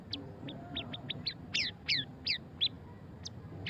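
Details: White-rumped shama, a murai batu, giving fast ngeriwik song: a rapid series of sharp downward-sweeping whistled notes, about three per second, growing louder mid-phrase then thinning to single high chips.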